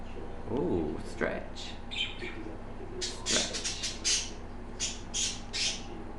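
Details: A six-month-old female African grey parrot, whistling and chatting, gives a run of short, harsh clicks and squawks in quick bursts, with a soft human voice at the start; she is losing some tail feathers, owner unsure if first moult.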